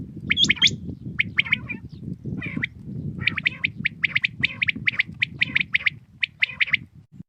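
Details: Morning call of a common quail: bursts of three quick, sharp notes repeating steadily, after a few high hooked chirps from another bird, with a soft low background hum.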